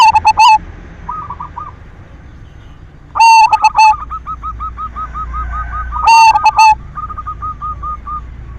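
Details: Silver zebra dove singing as a lure to stir other doves into song: three loud, harsh bursts of clipped staccato notes about three seconds apart, with softer, evenly repeated cooing notes running between them.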